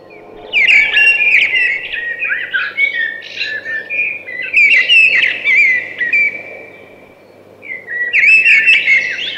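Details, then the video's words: A thrush sings three loud, tumbling phrases of mixed whistles and trills, with short silences between them. "Beautiful Thrush Singing"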